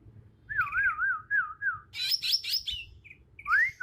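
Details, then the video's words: Bornean green magpie, a young wild bird in Kalimantan still using its own natural song; wavy undulating whistles, a burst of harsh higher notes, then a short rising whistle. "Suara asli alam cucak ijo kalimantan"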